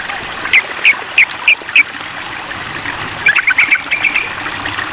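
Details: Sooty-headed bulbul calling toward a rival: five evenly spaced sharp notes, then a quicker cluster of chattering notes, against a continuous background hiss.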